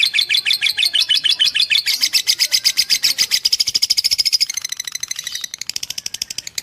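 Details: Gacor fighter lovebird recorded as a master for shaping young birds: a steady, fast stream of shrill, scratchy notes, rising slightly in pitch mid-way, then breaking into a rougher rattling trill.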